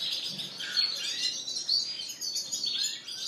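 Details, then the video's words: Canaries, Spanish Timbrado and Gloster, singing in a bird shop on April 9, 2016, a short burst of mixed twitters, rising whistles and trills from several caged birds. "Singing Canaries"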